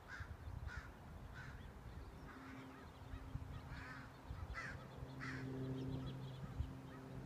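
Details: Crows harassing a hawk near their colony: scattered hoarse caws at irregular spacing over a steady low engine-like hum.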